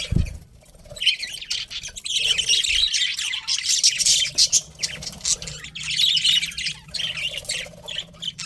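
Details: Pet budgerigars, described as a breeding pair, keep up a continuous warbling chatter of high chirps and squawks in several bursts, with a thump at the start and a low background hum.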